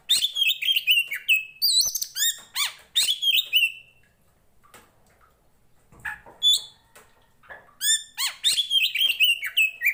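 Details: Tretes poci Oriental magpie-robin, a fighting, loudly singing bird meant to provoke and train other magpie-robins: fast chattering, whistled phrases for four seconds, a quiet pause, then the energetic song resumes.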